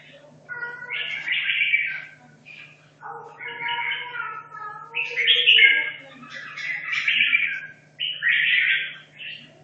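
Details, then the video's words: Caged red-whiskered bulbul from Hanoi, two and a half years in the cage, practising for a singing competition: a series of four or five varied warbled, whistled phrases separated by short pauses, over a constant low electrical hum. "Chào mào Hà Nội 2 thả chiến!"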